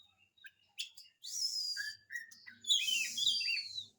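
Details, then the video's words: Oriental magpie-robin singing to coax silent birds, with scattered chips leading into long, loud descending whistles and sweeping high phrases. A faint low hum sits in the background. "kacer gacor, cocok untuk pancingan kacer malas bunyi"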